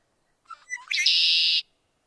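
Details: A Red-winged Blackbird song: a few short liquid introductory notes followed by a long, buzzy, ringing trill lasting about half a second, more melodious than a tricolored blackbird's.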